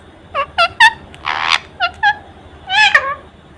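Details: Indian ring-necked parakeet kept as a pet, chattering at its mirror with spread wings: clipped, nasal harmonic syllables in a quick series, a breathy rasping burst in the middle, then a longer wavering phrase.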